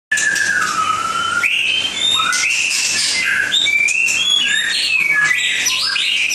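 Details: White-rumped shama from Langkawi singing a varied run of clear whistled phrases, long gliding notes and rising slurs mixed with higher buzzy flourishes, over a steady low hum.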